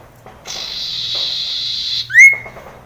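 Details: Common iora singing in the wild: a rasping, buzzy note held for about a second and a half, then a loud clear whistle that slides upward and levels off. Faint low hum beneath.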